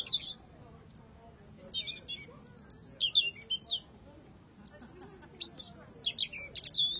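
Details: Song of a red robin: two runs of high, sweet, jumbled chirps and trills with a pause between, over faint background noise.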